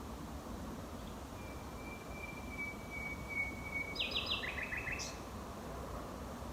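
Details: A male nightingale defending his territory at night in thickets on a rewilded former farm in West Sussex, May 2018, holds a long, even, pure whistle, then adds quick buzzy repeated notes.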